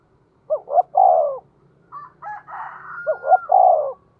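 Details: Spotted dove used to provoke wild birds, giving the 'tiếng thúc' call. Two loud coos, each a pair of clipped rising notes and a long sliding note, with a thinner tonal whistle sounding between them.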